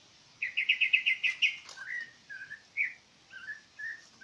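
A bird gives a quick run of about eight bright chirps, then a few short, slurred whistles at a lower pitch, against a quiet background.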